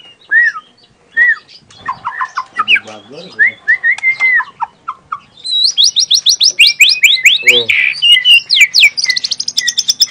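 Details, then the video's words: Young wild white-rumped shama (murai batu) from the forest in full natural tembakan song: varied whistled and slurred notes at first, then a fast, high, chattering run of repeated sharp notes building toward the end. "FULL TEMBAKAN ALAM MURAI MUDA HUTAN"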